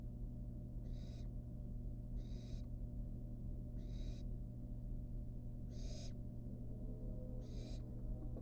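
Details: Wild barn owl fledgling at a monitored nest box, eating a rat, gives five harsh, breathy hissing bursts, each about half a second long and spaced roughly every one to two seconds, over a steady low hum.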